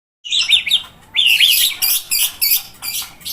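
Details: White-rumped shama (Copsychus malabaricus), song.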